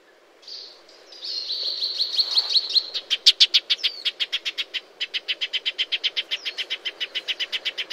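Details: Shining sunbird in dry desert scrub of Africa or Arabia: a high, thin buzzy note rises into a long, rapid, evenly spaced series of high chips that slow slightly toward the end.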